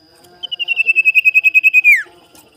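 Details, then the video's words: Captive, tame Common Iora (cipow/sirtu) calling to seek a rival, used as a lure: a long, high whistled trill of about fourteen rapid pulses at steady pitch, ending in a quick downward slur. "SUARA CIPOW CARI LAWAN/PANCINGAN BURUNG SIRTU"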